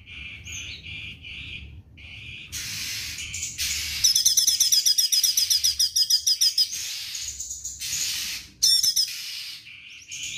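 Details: Straw-headed bulbul singing actively, a mix of loud liquid warbled phrases and rapid repeated chattering notes, some bursts fast and rhythmic, with pauses between phrases and background chirping.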